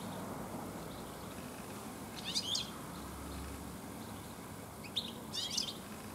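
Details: European goldfinch in a garden, late afternoon, singing among many others this year: two or three quick, high, chattering twitters close together after a short pause, with soft background noise.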